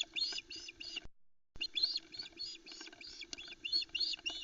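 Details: On a Loch Arkaig osprey nest, 4 July 2020, the female screeches while chicks stand between her and the male's trout; dense, harsh, high-pitched squealing notes tumbling quickly over one another, with a brief break midway.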